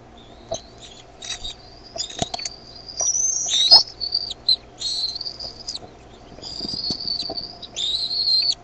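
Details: Bald eaglets at the Decorah nest on the evening of 13 May 2015, growing noisier as their mother brings food; thin high whistled peeps and chitters come in repeated bursts, with a steady low hum behind.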